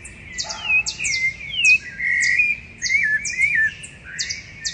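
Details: Chorus of rufous-bellied thrushes recorded in a backyard in Curitiba, Brazil, before dawn on 10 September 2012: continuous warbled fluty mid-pitched phrases over steady sharp high chirps from other small birds.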